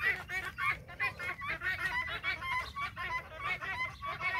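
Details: Guineafowl flock trailing after a hen on a farm, many birds calling over one another in a continuous harsh chattering chorus.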